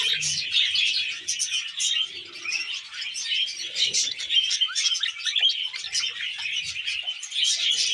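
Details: Budgerigars kept as pets chatter over wheat germ: a steady, bright mass of rapid chirps, clicks and warbled notes, nearly free of any low background sound.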